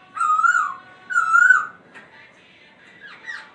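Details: Laughingthrush singing while dancing: two long, loud, wavering whistled notes about a second apart, followed by a softer, quick, rising-and-falling twitter after a short pause.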